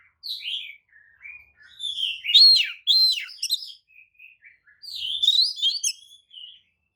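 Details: Oriental magpie-robin provoking song used to agitate other magpie-robins: a long varied run of short whistles, rasping bursts and trilled fragments, strongest midway, with scattered softer chirps.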